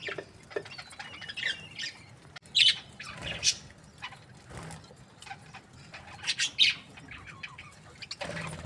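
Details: Budgerigars kept as breeding pairs, said to be happy, give scattered high chirps and short squeaky notes every second or two, mixed with soft flapping and rustling between calls.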